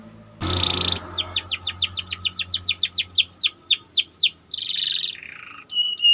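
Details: Canary song for training other canaries: a buzzy note, a long series of descending whistled notes about three to four per second, then buzzy rolls and a high flat whistle.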